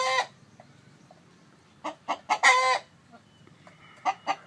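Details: Chicken, a rooster heard while a hen sits on eggs. A harsh squawk opens, then after a pause three quick clucks rise into a long, loud, raspy note. Two more clucks follow near the end.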